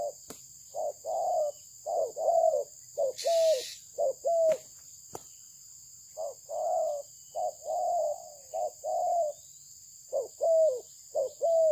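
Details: Malaysian-bred spotted dove singing a long run of soft, low cooing phrases. Short clipped coos and longer drawn notes come in irregular groups, about one a second, with brief clicks and a high constant whine behind.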